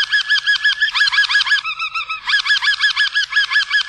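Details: A Harz roller canary sings the schokkel tour, an interrupted tour of jerky, set-off notes: a bouncing, rolling run of quick hooked notes, about eight a second, with a brief steadier trill in the middle.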